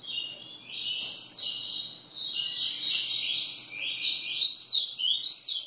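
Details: Continuous high warbled song of a double-collared seedeater in the grego ferradura style, quick chirps and slurred notes running unbroken for nearly six seconds.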